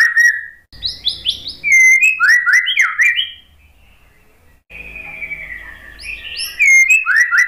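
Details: A white-rumped shama song meant to trigger a silent bird to sing along: fluty whistled notes and quick downward slurs, a quiet pause mid-way, then a long gliding whistle and renewed rapid phrases, low background rumble.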